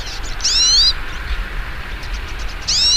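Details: Hooded siskin among several birds singing in nature: two short, bright whistled phrases with sweeping trill-like strokes, one near the start and one at the end, separated by a quiet gap.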